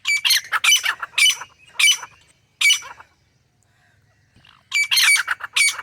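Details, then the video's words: Wild grey francolin pair, male and female, calling in natural jungle habitat: loud harsh squawking notes in quick bursts of three to five, a pause of about two seconds, then the rapid harsh series resumes. "Grey Francolin Partridge Pair | تیتر جوڑا جنگل میں | जंगल में तीतर | Boz kəklik | الحجل"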